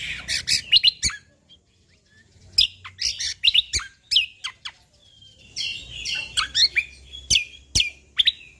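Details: Sumatran leafbird (Cucak Kombo Lombok) in full, lively song with natural-style fill. Dense bursts of buzzy chatter, sharp clicks and quick whistled notes, pausing briefly before a long twittering run.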